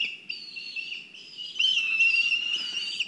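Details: A black kite at its nest in Kurzeme, Latvia, during an agitated moment. A thin, sustained, quavering whistle wavers continuously and grows louder partway through.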